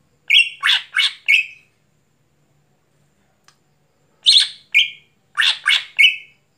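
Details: Greater green leafbird in vigorous night song: two rapid bursts of four or five scratchy chirps, each ending in a brief high whistle, separated by nearly three seconds of silence.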